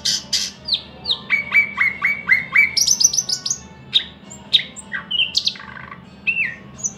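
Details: Thrush nightingale singing a varied phrase: a run of five repeated downward-slurred whistles, then a fast stuttering series of high notes and scattered sharp chips and buzzy notes, over a faint low hum.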